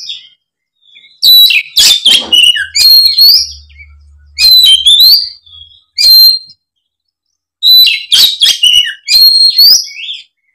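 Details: Magpie-robin in fighting mode unloading its song repertoire to trigger silent birds: three loud bursts of mixed whistles and harsh chatter, each lasting a couple of seconds, with short pauses between.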